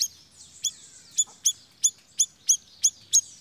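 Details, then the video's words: Lively siri-siri lure sound for attracting birds: evenly spaced sharp, high, ringing chips about every third of a second, with faint twittering behind. "Suara Pikat BURUNG SIRI SIRI GACORR"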